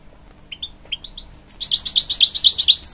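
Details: Song of a hybrid goldfinch, canary crossed with goldfinch, encouraging young chicks: a few spaced soft chirps building into a loud, fast, even twittering run.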